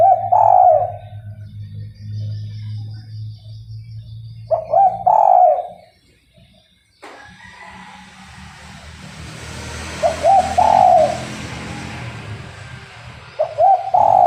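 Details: Spotted dove used as a trapping lure, calling constantly. It gives four repeated cooing phrases of clipped notes ending in a fuller coo, with a short silent break midway. Low rumbling background noise follows the break.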